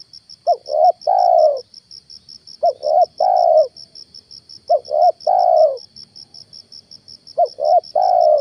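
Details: Spotted dove used as a hunting lure: a repeated three-part cooing phrase, two short notes then a longer drawn coo, every two to three seconds, with a steady high electronic beeping throughout.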